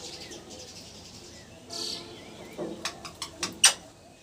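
A ringneck parrot gives a quick run of short, harsh chirps, growing louder and ending in a sharp squawk, over a faint hiss.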